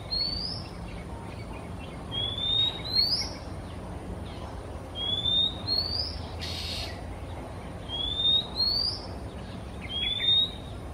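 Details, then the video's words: Male Oriental Magpie-robin singing in Singapore on an afternoon, flying between perches. Clear, high, thin whistles that slide upward, given about every one to two seconds, with a short harsh burst mid-clip over a low background hum. "Sweet singing Male MAGPIE-ROBIN, Singapore"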